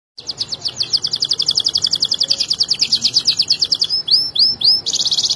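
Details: Canary song used as a tutor recording for training other canaries: a long, fast rolling trill of high buzzy notes, then a few separate downslurred whistles and a final rapid high trill.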